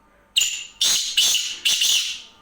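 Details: A black francolin's night call, the bird said to call until midnight, heard as four harsh, scratchy, high-pitched notes delivered in a rapid series, each note fading slightly at its end, over a still, quiet background.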